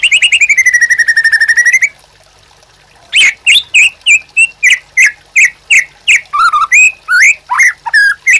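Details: White-rumped shama, 'gacor' master song for training captive birds: long rapid trill of even whistled notes, a pause, then a varied series of short twisting whistles and chips at a brisk pace.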